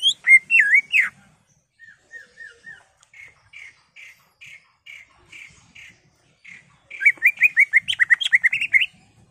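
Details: Greater green leafbird, caged and singing excitedly as a trigger for other birds: looping slurred whistles, then a long row of short repeated whistled notes, ending in a dense burst of rapid varied phrases.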